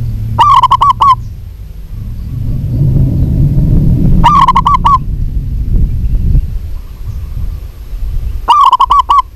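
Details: Female local zebra dove calling a male: three brief bursts of rapid coos, about four seconds apart, with a loud low rumbling noise swelling between them.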